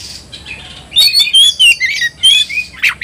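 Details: Oriental magpie-robin provoked to fight, singing loudly: a burst of varied clear whistles and rasping notes after a quiet start, bright high phrases with short gaps.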